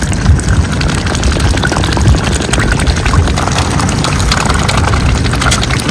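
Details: Steady low rumbling noise, like an engine or wind, fills the recording, and no clear animal voice can be made out.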